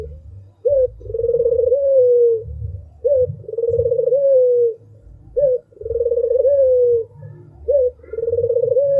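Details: Albino Barbary dove singing: a short upslurred note followed by a long rolling, purring coo that slides gently downward, repeated about every two and a half seconds over a low background rumble.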